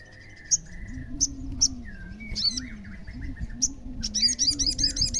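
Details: Olive-backed sunbird, played to make other sunbirds answer: high sharp chips and short slurred whistles, ending in a quick series of repeated high buzzy notes, with a steady low droning hum underneath.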